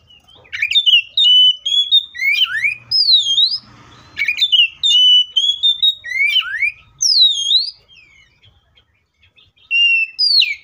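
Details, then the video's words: Fighting song of an Oriental magpie-robin, used to goad others into singing: long, varied strings of loud whistles with steep V-shaped slurs and down-sweeping notes, repeated in waves, with a brief pause near the end. "KACER GACOR FULL ISIAN MEWAH TARUNG NGEPLONG NGOTOT❗PALING AMPUH BUAT PANCINGAN KACER AGAR BUNYI!"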